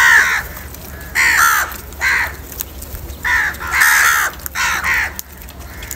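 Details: Crow calling while eating salty food: harsh, loud caws in a rapid series, about eight calls over six seconds, some in quick pairs, over a steady low hum.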